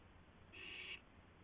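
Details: One owl gives a single raspy, hissy screech lasting about half a second, at 2:51 AM on 2 April 2016 as a gopher is brought to another owl, over steady low background hum.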